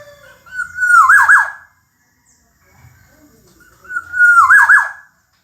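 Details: Kepodang emas, the black-naped oriole, in a tutoring track: a rich mellow whistle glides along, then tumbles into a short burst of loud liquid warbles, repeated after a pause of about three seconds, with near silence between.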